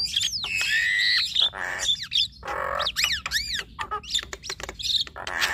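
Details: Javan myna male and female in duet, unloading a varied repertoire: a long wavering whistle opens, then harsh squawks, arched whistled notes and raspy chatter follow closely with almost no gaps.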